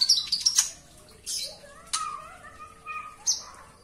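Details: Indoor Javan bush lark delivering quick high chirps, then softer drawn-out whistles and occasional sharp notes.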